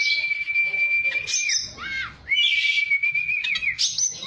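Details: Oriental magpie-robin song meant to make a caged bird sing back and turn aggressive: long level whistles held steady for over a second, broken by a short dip and bright higher flourishes.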